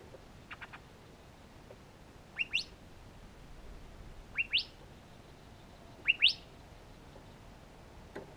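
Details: Young Curve-billed Thrashers (Toxostoma curvirostre) begging: sharp, rising two-note whistles, whit-wheet, three times about two seconds apart, with a few faint clicks between.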